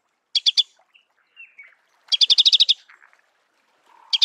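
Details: Marico sunbird in its natural habitat: a brief trio of sharp chips, soft thin slurred notes, then a fast run of about ten crisp ticking notes, ending with another chip burst.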